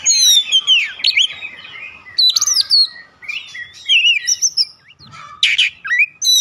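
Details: White-rumped shama song played as a lure for other birds, a dense rush of varied whistles, trills and sliding notes with harsher buzzy bursts, nearly continuous with brief pauses.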